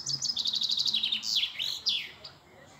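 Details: European robin singing very close: a rapid trill of high tinkling notes, then thin sliding whistles dropping and rising, fading at the end over quiet background noise.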